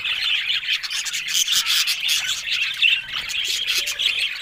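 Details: Several budgerigars warbling at once: quick, scratchy, high chirps and squeaky notes tumbling over one another in an unbroken chatter.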